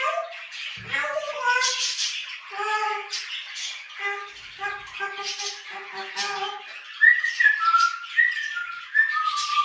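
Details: Pet grey parrot in a room giving a run of harmonic, nasal squawking notes stepping in pitch, then several clear rising-and-falling whistles toward the end.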